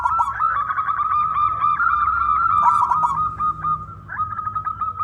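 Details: Big-voiced local zebra dove in full song, meant to set other doves singing. Dense rolling coos pulse quickly on one steady note throughout, thickening with rougher overlapping phrases in the middle.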